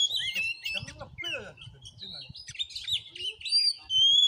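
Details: Oriental magpie-robin (kacer) in fighting song at a vocal test in Padang Gading village, Bengkulu, Indonesia: quick rising and falling whistles and twittering phrases over low murmuring voices, ending on clear, sustained high whistles.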